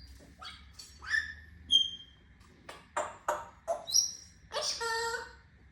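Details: Pet grey parrot calling: clear whistled notes, some rising and some level, mixed with harsh raspy squawks and a long buzzy note at the end, in a quiet room.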